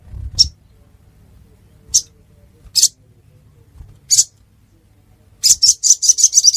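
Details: Several well-spaced high chips from a ruby-cheeked sunbird in Pidie, Aceh, Indonesia, followed by an accelerating, rapid trill of high, piercing notes.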